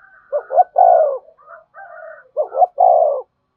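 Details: Spotted dove calling to entice wild doves to approach the perch. Two strong phrases of clipped double notes and a long descending coo, with a quieter second dove cooing between them.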